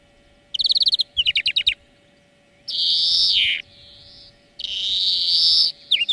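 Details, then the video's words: European greenfinch song used as a song lesson: two quick chirping trills, then a long harsh wheezing buzz, a softer nasal tone, and another extended wheeze. "Florya Ötüm Dersi"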